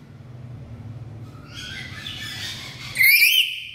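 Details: Black-capped lory giving one loud, shrill, rising squawk with strong overtones after a stretch of softer, noisy chatter.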